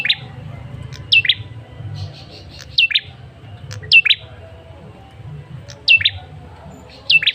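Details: Lure call from a male ashy tailorbird: bright two-part chirps falling in pitch, repeated every one to two seconds, with a faint low rumble beneath.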